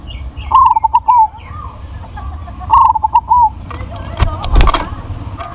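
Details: Crossbred zebra dove, described as having a big voice, giving two loud phrases of staccato cooing, each ending in a drawn coo. A burst of knocking and rustling noise follows.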